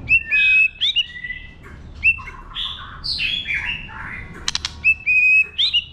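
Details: White-rumped shama in wild-type song meant to stimulate birds: repeated steady whistled notes with quick upslurs, warbled descending phrases in the middle, and a crackling burst before the whistles return.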